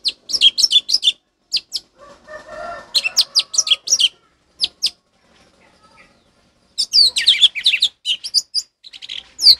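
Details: Orange-headed thrush singing in ngeplong style, used to train captive thrushes that stopped singing: dense runs of rapid high chirped and whistled notes, a soft low murmur in a pause, then a busy warbled ending.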